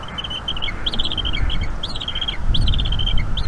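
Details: Nestling bald eagle in North East Florida chattering during an evening feeding by its mother, 5 May 2021: repeated high stuttering squeal runs roughly every second, with low rumbling noise beneath.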